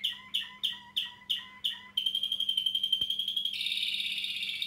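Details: A male Waterslager Malinois canary, over 1 year old, sings a run of six quick bright notes, then a rapid rolling trill that shifts into a dense, high buzzy warble.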